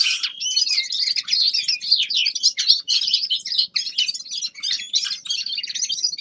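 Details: A young male common linnet practising its song in winter: rapid, high-pitched twittering with rising and falling whistled slurs, sung continuously with hardly a break.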